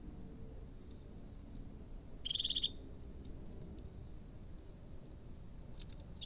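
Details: A crested tit in pine woods gives one short, high, rattling trill near the middle, followed near the end by the start of another, with otherwise quiet surroundings and soft low background noise.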